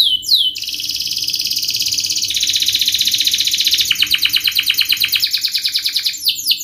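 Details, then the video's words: Canary singing in the fast, tight, sharp 'speed rapat tajam' style, used to teach young canaries to sing. A continuous high rolling trill of rapid pulses shifts in pitch several times, opening and closing with quick falling notes. "Kenari gacor Speed RAPAT TAJAM ini ahlinya untuk pancingan kenari Paud belajar bunyi Cepat NgeroL"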